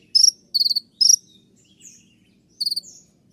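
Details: Three quick high trilled bursts from an olive-backed sunbird, called kolibri ninja, in 'tembakan' style song, then a pause with faint soft notes and one more trill.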